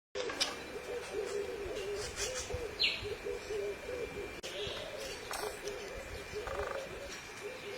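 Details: Purple-crested turaco calling: a run of low, evenly spaced croaking notes repeated for about four seconds, then fainter notes, over steady broadband background noise and a brief high squeak.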